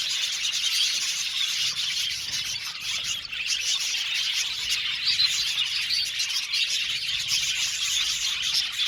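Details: Aviary colony of Australian budgerigars keeping up steady chatter: countless overlapping high chirps, trills and squeaks forming a continuous twittering background that swells slightly at moments.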